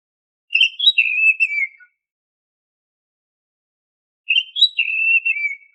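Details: Oriental magpie-robin (kacer) gives the same rich warbled whistle phrase twice, about four seconds apart. Each phrase rises briefly and then slides downward. The song is used as a lure to make caged birds sing. Background is quiet.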